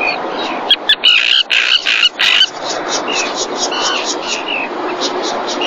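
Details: Common tern (Sterna hirundo) at a nest during the 2021 breeding season, Marismas Negras, Astillero, Cantabria, Spain, as a fish is brought for the mother: harsh, grating, high cries, then quicker, thinner calls over distant calling birds.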